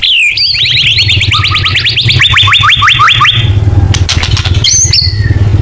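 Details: White-rumped shama in full 'nembak' song for luring birds: a long, quick series of upswept whistled notes that steps down in pitch partway through. Sharp clicks and a final high whistle come after it, with a low mechanical hum beneath.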